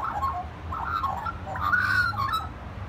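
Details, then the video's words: Magpie song of soft, gurgling warbles that build into a clearer, slightly higher whistled phrase near the end, with a low background rumble throughout. "Magpie singing"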